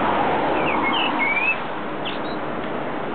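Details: Birdsong recorded in February at Västerbroplan, the end of Västerbron bridge; a short whistled phrase of sliding and rising notes in the first second and a half, then a couple of thin high notes, all above a heavy, steady traffic rumble.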